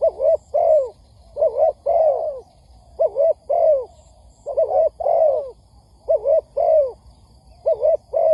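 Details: Spotted dove calls used as a trapping lure to excite doves into calling; mellow, throaty coos grouped in quick pairs and triplets, repeated at a steady pace with brief silences between phrases.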